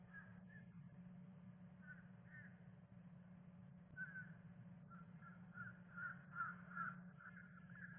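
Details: At a Miami-Dade bald eagle nest on 10 December 2023, the afternoon the young female laid her second egg. Scattered faint squeaky notes build into a quicker run of piping chatters near the end over a constant low drone.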